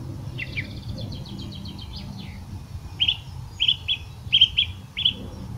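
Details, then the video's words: Song thrush from Portugal delivering a fast rattling series of high notes, followed by a crisp bright phrase repeated five or six times at short even intervals, with a low, constant hum of background noise underneath. "Song thrush Call Turdus philomelos Tordo"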